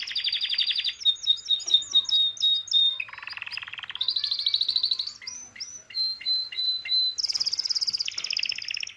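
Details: Excited male canary singing for mating, answering a female's call: fast varied trills and high whistled tours, rapid buzzy rolls, repeated chip-like notes and sustained high-pitched rattles in quick succession, clean and close.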